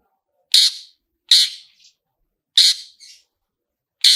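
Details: The "toet toet" sound of a long-tailed shrike, used to trigger singing. Four grating, rasping bursts come at uneven gaps, and a faint, shorter scratchy note trails two of them in otherwise silent surroundings.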